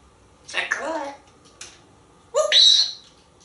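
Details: Indoors in Texas, a talkative male pet African grey parrot hatched in 1997 makes a short speech-like phrase and a soft click. After a pause comes a louder, whistled squawk that holds steady before fading.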